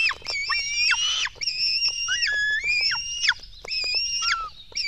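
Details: Black stork nestlings at a Latvian nest, being fed at 04:53 on 24 June 2016: shrill, harmonic squealing calls, each rising and then dropping sharply, given in quick overlapping series with short clicks between them.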